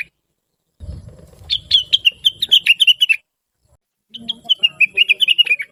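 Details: Blue-winged leafbird singing sweetly and busily, used to train other birds: after a soft low rumble, two fast runs of high chirping notes that step gradually downward, separated by a second of silence.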